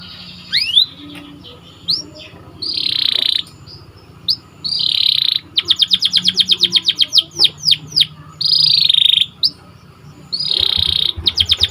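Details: White canary singing a tutoring song for training other canaries: rising whistled notes, buzzy sustained trills and rapid rolls of repeated chirps, separated by short pauses over a faint low hum.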